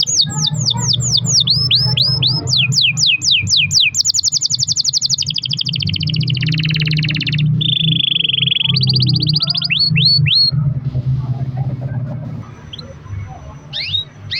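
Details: Singing canary used as a lure for other canaries: rapid downslurred notes and fast high trills, then a long buzzy warbled roll and a lower sustained rolling phrase, fading to a few sparse notes over a low background hum.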